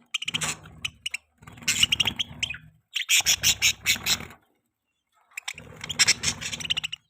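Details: Pet budgerigar's mating chatter: loud, scratchy warbling phrases of fast pulsed chirps in three long bursts with a short silent break, over a steady low hum.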